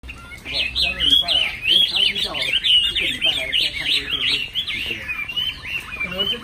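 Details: Chinese hwamei, a caged bird, in continuous loud song: rapid varied whistled phrases sweeping up and down, dense and melodious, with faint lower background sounds.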